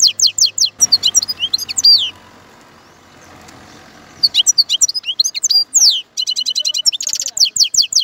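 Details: European goldfinch twitters in high slurred notes, falls quiet for about two seconds of low background hiss, then returns with fast chirps and a buzzy trill.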